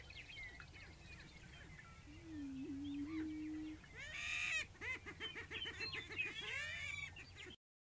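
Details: One low hooting moan from a prairie chicken, followed by loud, busy cackling and chattering calls from several birds, ending abruptly.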